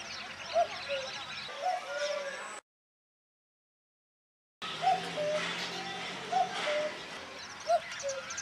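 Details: A Eurasian cuckoo (Cuculus canorus canorus) in Rajasthan gives soft two-note 'cu-coo' calls, high then lower, about every one to two seconds over steady broadband background noise.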